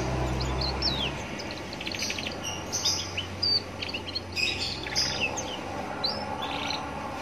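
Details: Young canary singing by a roadside to stir other canaries into answering; quick high chirps, short rattling notes and whistled slurs scattered through the clip, with a constant low street rumble underneath.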